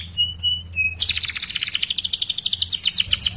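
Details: Singing canary used to prompt other canaries: a few short flat whistles, then a dense fast warbling trill of rapid high notes lasting over two seconds, with low background hum.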